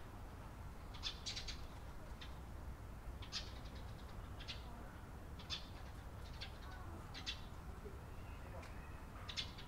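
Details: A Eurasian tree sparrow in Japan, recorded on 28 April 2022, gives short, bright chirps, singly or in quick pairs, every second or so, over a steady low rumble of background noise.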